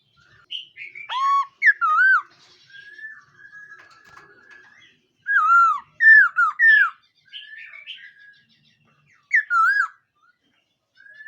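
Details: During morning voice practice a black-throated laughingthrush delivers dipping, wavering whistled phrases in clusters of two or three, with softer warbling between the loud bursts.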